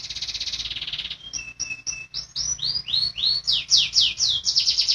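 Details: Canary in full rolling song, used to train caged birds that have stopped singing: a fast buzzy trill, then drawn whistles and a rapid series of high rising swept notes, about two per second.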